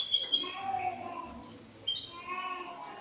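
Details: Spanish goldfinch from the previous year in clean 'cante limpio' song, recorded 22 August 2018: a sharp high tinkling burst that fades into softer liquid twitters, followed by a second brief chirpy phrase.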